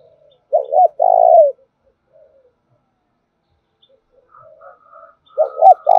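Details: Spotted dove lure call meant to stimulate other doves to call: two-part cooing phrases, short hooked notes then a longer falling coo, repeated about every five seconds, with faint higher calls between them.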